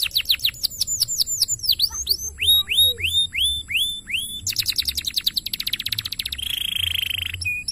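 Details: Canary tutor song used for training other canaries: loud, very high sweeping notes repeated rapidly, then a fast buzzy trill and a sustained shrill whistled tone, with a low murmur underneath.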